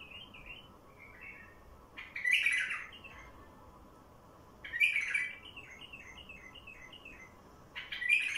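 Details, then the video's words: A wild bulbul, its song used as a lure for wild birds, gives three bright, loud warbling bursts spaced a few seconds apart, linked by quieter, evenly stepped chirping notes. "تغريد بلبل وحشي لفتح البلابل الوحشية"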